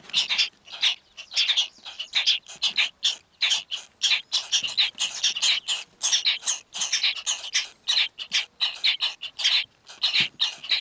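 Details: Young purple martins in a nest box, Walworth County, Wisconsin, 11 July 2011, during nest box monitoring, beg in a dense, continuous chorus of high, scratchy, buzzy chirps, several voices overlapping with barely a pause.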